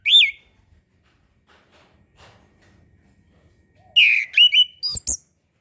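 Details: A single clear rising-falling whistle opens this orange-headed thrush song. After several quiet seconds comes a brisk phrase of sliding whistles and sharp high notes. Kept as a master recording to encourage birds that are just learning to sing.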